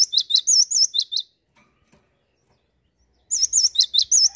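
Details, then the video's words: Cinereous tit giving two loud song bursts of looping whistles and sharp chips in brisk rhythm, with near silence between them. "Gelatik batu gacor"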